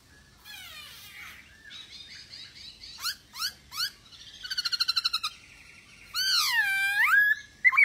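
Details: Masked laughingthrush in lively song, for drawing out silent birds: scratchy down-slurred notes, sharp downward whistles, a buzzy rattling trill, then a long swooping whistle falling and rising again.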